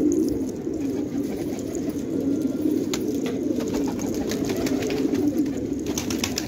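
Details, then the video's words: Steady low cooing from many fighting tumbler pigeons in an Afghan village at Khanabad, a murmuring chorus with occasional sharp clicks and scratchy taps. "کفتر های جنگی پرشی در خانه آباد"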